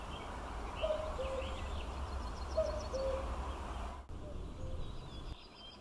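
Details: Common cuckoo in Norway, 2019, giving its falling two-note 'cu-coo' three times, about every two seconds, over a steady low rumble and faint high chirps from other birds.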